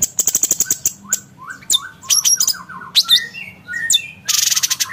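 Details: Varied song of a cucak cungkok (blue-winged leafbird), recorded as tutoring material for contest birds: a quick run of ticks, then slurred falling and rising whistles, squeaky phrases and a dense buzzy rattle at the close.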